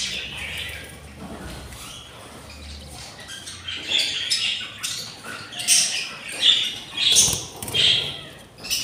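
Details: Six hungry budgerigar chicks in their nest at day 24, raspy squawking calls starting soft and building into louder, irregular bursts about once a second in the second half.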